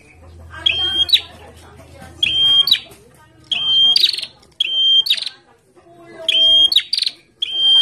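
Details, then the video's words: Bar-winged prinia, a captive bird out sunbathing, sings vigorously: about six piercing whistled phrases, each a held high tone ending in a quick falling sweep, with short chattering notes between and a low hum early on. "PRENJAK GACOR DIUMBARAN"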